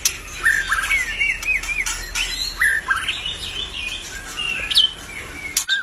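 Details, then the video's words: Albino white-rumped shama in vigorous song, repeating bouncy two-part whistles, then softer warbling and a high sharp note, punctuated by clicking ticks. "murai BATU ALBINO udah cantik gacor pula.."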